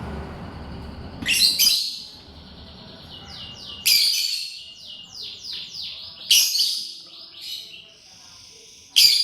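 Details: Lovebird chirping while eating corn, mixing loud, harsh broadband shrieks every two to three seconds with rapid, twittering whistled chirps that sweep down and up in quick sequences between them.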